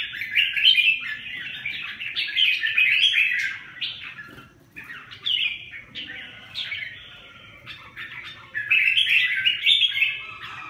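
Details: Red-whiskered bulbul giving a long, jumbled warbling song of quick, up-and-down notes, with a pause near the middle and a low background rumble.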